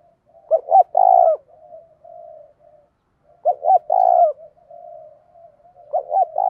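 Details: Spotted dove used as a decoy to incite fighting, cooing two short notes and a longer rolling note, phrases repeated about every three seconds with faint soft coos in between.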